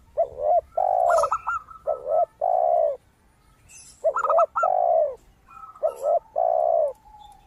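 A zebra dove gives soft, rolling coos: short trilled notes ending in longer mellow ones, phrased twice about every three and a half seconds, with faint high chirps behind.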